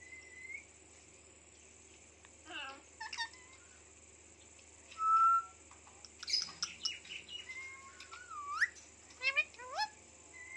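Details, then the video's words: Pet Indian ringneck parrot talking: scattered speech-like syllables, a clear sustained whistle midway, then a run of sliding, rising squeaks and chatter with quiet gaps between. "Talking Indian Ringneck Parrot"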